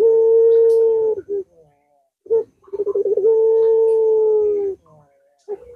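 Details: Long-voiced pelung puter dove coo used to prompt a reluctant dove to call: a sustained low tone, a short clipped note, then a quick rolling trill leading straight into another long level coo, ending on a brief note.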